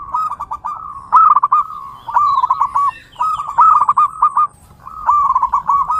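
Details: Zebra dove song used for training and luring other doves: soft rapid trilled cooing phrases near one pitch, each about a second long, repeated with short pauses, with faint higher chirps above.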